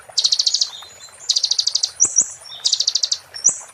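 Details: Konin song in the "muntah beling" style, used as tutor material for shamas and magpie-robins: two dense high buzzing trills separated by quick thin whistled slurs, repeated within four seconds.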